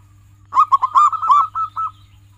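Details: A local zebra dove, recorded as tutor song for pet doves, gives several loud, mellow coos. These run into a rapid rolling series and end in two softer notes.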